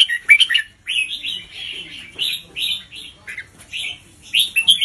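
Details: Red-whiskered bulbul teacher bird, played to young birds to learn from, giving spaced whistled notes: sharp opening chirps, then a series of clear, rising-falling warbled whistles with brief gaps.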